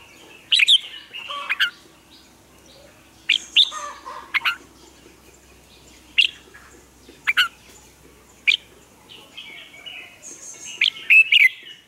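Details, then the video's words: Morning song of a red-whiskered bulbul used as a training lure: scattered loud chirps and short whistled phrases, spaced one to two seconds apart, with a quiet hum in between. "Luyện chào mào hót sáng, hót hay"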